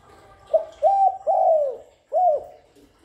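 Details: Spotted dove coos used to lure and stimulate doves, with little background noise: a short note, two mellow hollow coos with the second long and falling, a brief break, then one more drooping coo.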